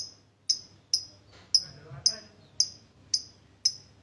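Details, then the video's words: Sharp, isolated high ticks from a lovebird, the ngetik style used to coax quiet birds, spaced roughly every half second, with a brief soft murmur in the middle. "MASTERAN NGETIK LANJUT NGEKEK // PANCINGAN LOVEBIRD YG MALAS BUNYI DAN LABET JADI RAJIN DAN GACOR"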